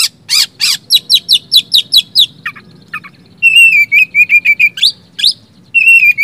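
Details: Song of an oriental magpie-robin played to coax quiet caged birds into singing: a fast series of sharp descending chips, then a run of clear whistled notes repeated rapidly on one pitch, with short harsh bursts at the start.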